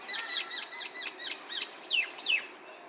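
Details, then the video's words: A common myna (shalik) calling from a tree: a series of quick, harsh chirps and clicks, followed by two loud, whistled notes that rise and then fall, outdoors. "Shalik Bird Sound| Myna bird on tree"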